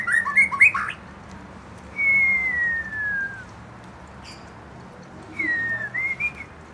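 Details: Young white-rumped shama stirred to sing, opening with quick mixed notes, then a long clear whistle sliding gently downward, and later a shorter rising whistle with a few chirps.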